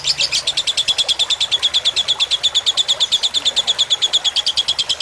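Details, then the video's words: Lovebird in fighter style on a tutor track with gentle running water for relaxation: a continuous shrill trill of quick, evenly spaced pulses fills the whole stretch, one high ringing note threaded through. "Suara masteran lovebird fighter dengan gemericik air agar cepat masuk"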